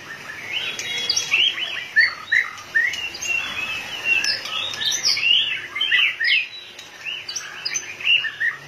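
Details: A white-rumped shama in fired-up form, tail flicking fast, sings a lively stream of warbled whistles. Sweeping and chattering phrases run almost without pause throughout.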